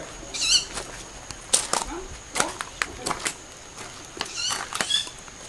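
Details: Several owls, about five moving around tens of metres above a home garden on an early summer evening, 20 July near 19:40; rapid overlapping shrill, raspy screeches and clicks in quick succession, loud and busy.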